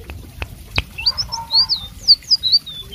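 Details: Blue whistling thrush singing vigorously: clear, high whistled notes that slur up and down in short, separated phrases, preceded by three sharp clicks.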